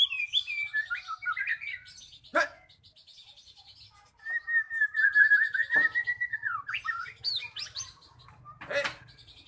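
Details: Magpie-robin song played to make a silent bird start singing: twisting whistled notes, a snap, then a long string of even, rapidly repeated whistles that sweeps downward and ends in harsh clicks.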